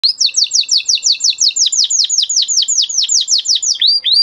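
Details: Excited male canary singing a steady run of fast, rising sweeps near the top of its range, repeated about three times per second, with the phrases shifting slightly in pitch midway.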